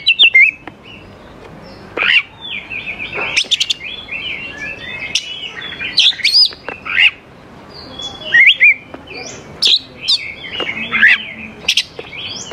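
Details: Long stretch of oriental magpie-robin song, used to get young wild birds to answer; varied whistles, sharp high chips and buzzy upward sweeps, delivered in uneven bursts with brief pauses.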